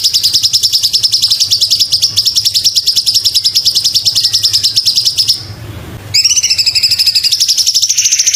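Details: Fast, machine-like pulsed trill from a Sumatran leafbird masteran recording, sustained about five seconds, then a brief hush and a fresh trill with a rising, overtone-rich start.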